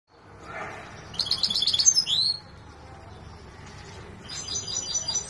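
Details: Large Himalayan saira singing during song training, Quetta: high, rapid buzzy trills followed by sweeping whistled notes that rise and fall, then a pause and another metallic trill near the end over faint low background hum.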